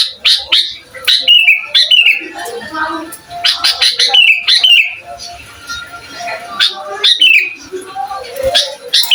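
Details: Energetic sooty-headed bulbul song for training other bulbuls, meant to provoke them: dense run of whistled descending slurs and chattering notes, nearly continuous, with a faint steady tone underneath.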